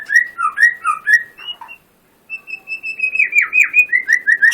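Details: Clear whistled phrases from a white-rumped shama: repeated rising-falling two-note whistles, a short pause, then a long flat whistle breaking into rolling downslurred notes and quick repeated whistles.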